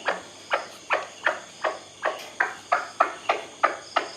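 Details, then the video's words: Owner's white-breasted waterhen, recorded to judge its use as a decoy played after dark: rhythmic, rasping clucks at about three a second, each note a sharp burst fading quickly, with soft insect drone and low hum underneath. "เสียงนกกวักผม แบบนี้ พอจะเอาไปต่อได้ไหมครับ"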